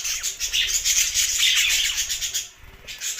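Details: Loud, continuous chirping from budgerigars: bright, buzzy, high-pitched warbling notes overlapping densely, with a short dip before the chatter resumes.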